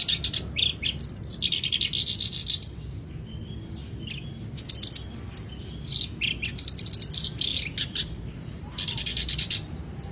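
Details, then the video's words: Lively black-browed reed warbler song: rapid scratchy chirps, clicks and short high whistles strung into repeated chattering phrases with brief pauses, over a quiet low rumble. "Kicau kerak basi alis hitam"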